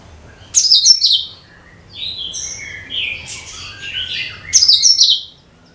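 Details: Cucak kinoi bulbul song played as a lure for all kinds of birds: bright, rapid chirpy bursts sliding down from high pitch, a first phrase, a quieter run of warbled notes, then a loud burst again near the end.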